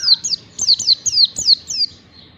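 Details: Oriental white-eye master song used to train caged birds to sing: seven quick, high, down-slurred whistles in a lively string, clear over faint background noise.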